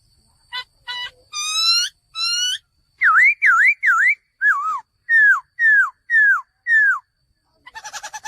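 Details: Several rising whistles, then a run of loud V-shaped and downslurred whistled notes repeated roughly twice per second, from a male laughingthrush, ending in a brief rattling burst.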